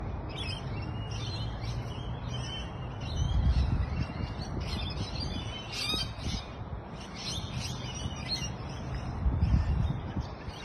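Several birds chirp and twitter together in a busy, high-pitched chorus, with a steady low rumble of wind beneath.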